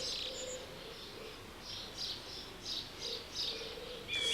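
A song thrush sings faintly in short, bright phrases, each repeated in quick succession, over soft outdoor background noise.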